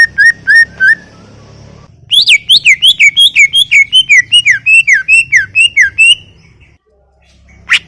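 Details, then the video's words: Greater green leafbird song: a short set of four quick whistles, then a long, rapid series of loud, swooping notes that rise and fall, ending abruptly with one sharp high note. "Full Gacor 40 menit CUCAK IJO"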